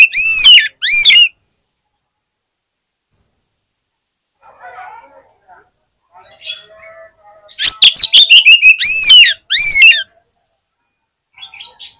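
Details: Contest fighter Oriental magpie-robin, said to provoke other magpie-robins into singing, gives loud bursts of ringing, arched whistled notes at the start and again later, separated by a quiet stretch of faint voices and clatter.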